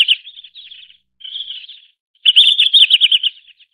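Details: A red-flanked bluetail gives three bursts of quick, high, chattering notes, the last burst the loudest and longest, in otherwise quiet surroundings.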